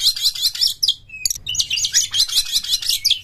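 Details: Oriental magpie-robin singing openly as a lure to set other magpie-robins singing; dense fast high trills and chattering phrases, broken by a brief plain whistle, then another rapid rippling run.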